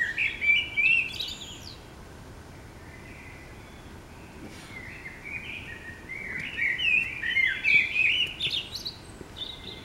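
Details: Morning song of a common blackbird in the city: a rich warbled phrase with high twittered flourishes, several seconds of quiet hum, then a longer, louder fluty phrase rising into scratchy high notes.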